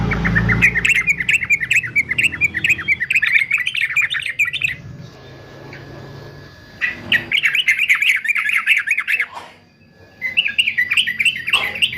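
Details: Fighter male yellow-vented bulbul, trucukan, recorded for teaching songbirds: long runs of fast, jumbled, bubbly notes, broken by a quiet stretch of a few seconds and resuming twice, with low background rumble.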